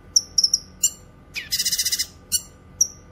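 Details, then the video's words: Grey-cheeked bulbul, recorded for tutoring songbirds and attracting wild ones: quick high chips and falling whistled notes, then a dense pulsing rattle of about nine rapid notes, followed by more sharp chips. "Masteran suara burung CUCAK KINOY gacor cocok untuk masteran dan pikat"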